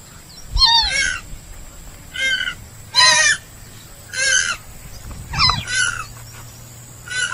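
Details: Harsh nasal honks from a purple swamphen (kalim), about six loud bursts spaced a second or so apart, each a rough, harmonic squawk with wavering pitch over a faint low hum.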